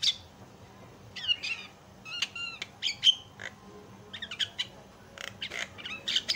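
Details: Javan myna singing as a training recording to make other mynas join in; sharp clear whistles and rising notes mixed with harsh squawks, coming in clusters with brief gaps.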